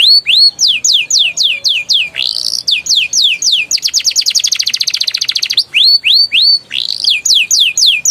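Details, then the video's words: A canary, singing as a lure for young canaries to start singing, gives loud hooked upslurred whistles in series, then a fast rattling roll, before returning to the repeated whistled notes. "PANCINGAN KENARI PAUD NGERIWIK NGEROLL GACOR EMOSI EFEKTIF UNTUK TERAPI KENARI MACET BUNYI"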